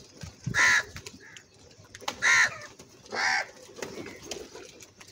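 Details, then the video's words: Three hoarse caws from an angry crow, spaced just over a second apart, each short and harsh against faint background noise. "Very loud voice of Crow sound - Angry kauwa ki awaz"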